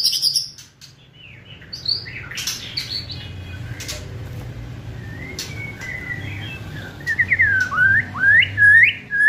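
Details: White-rumped shama singing to provoke other birds: scattered high chips and short whistles, a quiet stretch, then loud rising and falling whistled phrases near the end.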